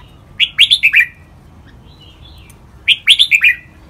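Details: Red-whiskered bulbul, 'lak wai' style training song, lively and sharp. A cluster of five rapid whistled notes is followed by a faint soft warble, then a second matching phrase.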